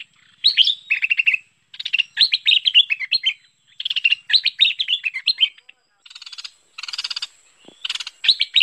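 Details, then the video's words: Merbah lekir bulbul calls played to lure birds: repeated chattering phrases of quick, warbled chirps, each a second or so long, interspersed with coarse, buzzy rattles. "SUARA UNTUK MEMIKAT BURUNG MERBAH LEKIR"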